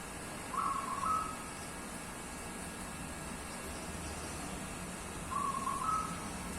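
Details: Zebra dove, a wild-type local bird from Java with 15 tail feathers, described as Pendowo Mijil type: two faint, soft, trilled cooing phrases at mid pitch, several seconds apart, over a steady background hiss.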